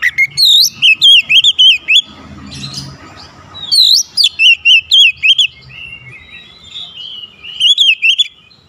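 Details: Oriental magpie-robin singing to challenge a rival: rapid strings of loud swooping whistles in three bursts, separated by quieter gaps with low background noise.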